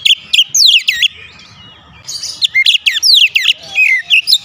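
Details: Oriental magpie-robin kept at home, singing a lively, energetic song: rapid bursts of clear whistled, sharply rising and falling notes in two phrases with a short pause between them.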